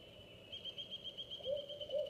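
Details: Barred owl pair chanting to one another, the female on a nest with 2-week-old owlets and the male hunting: a few short mid-pitched hoots in the second half over a steady high, pulsing insect-like drone.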